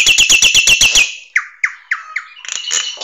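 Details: Nias hill myna song serving as a training master for songbirds: a rapid rattle of eight clipped notes, then four separate downward-slurred whistles, ending in a buzzy, chattering phrase.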